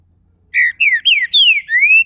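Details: Captive Green-winged saltator from Brazil moving into its main song: a soft high note, then five powerful whistled phrases, level, falling slurs and a closing rising glide, delivered in quick succession.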